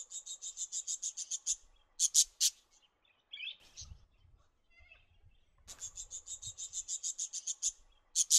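Budgerigar giving quick runs of sharp, high chirps, each burst lasting over a second.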